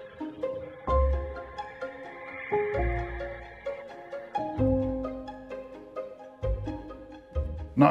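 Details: Bowed string music, violin and cello, with no animal voice heard.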